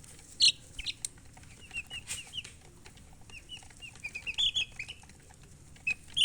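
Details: Baby chicks chirping: scattered high, thin peeps, some short and sliding, with a few louder sharp cheeps, over light rustling and soft background noise.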